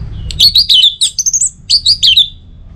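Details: Orange-headed thrush song used as a lure to get other birds singing: varied, rich warbled phrases of quick slurred whistles and chirps, rising and falling, in two close groups over a soft low hum.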